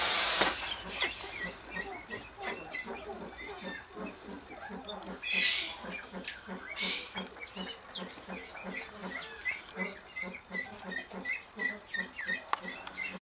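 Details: A Temminck's tragopan in a pheasant nursery, during its mating dance, gives a fast, steady run of low clicking pulses, about three per second, over a background of high chirping from other birds.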